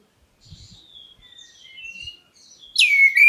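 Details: Black-breasted oriental magpie-robin calling so other birds respond: faint, soft warbled whistles with a few low knocks, ending in a loud, rich whistled note that sweeps steeply downward.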